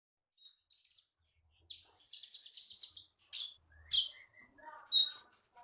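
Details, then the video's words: Champion songbird, caught in the forest of Bangka and now winning contests in Bangka Belitung, delivers high buzzy trills and sharp whistled notes, with lower warbled phrases near the end. "KEETY BURUNG JAWARA FULL GACOR"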